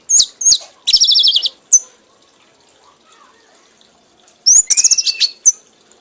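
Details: Award-winning red-whiskered bulbul singing nonstop in an excited frenzy: short sharp high notes, then a fast buzzy rattling trill, a long silent gap, and a second burst of rapid stuttering trills with clipped whistles.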